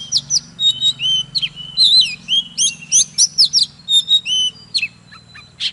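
An Oriental magpie-robin sings a fast, varied run of clear whistles, upslurs and twangy sweeping notes, phrase after phrase with brief gaps, over a faint low hum.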